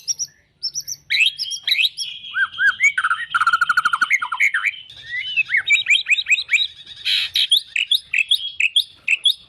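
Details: Rich, varied White-rumped shama song mixing high sweeping whistles, a rapid buzzy rattle, falling chirps and loud upslurred notes in quick succession.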